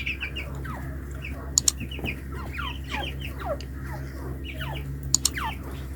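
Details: Hand-tame partridges calling in quick runs of sharp, downward-sliding chirps, repeated in clusters, with two brief clicks and a constant low hum in the background.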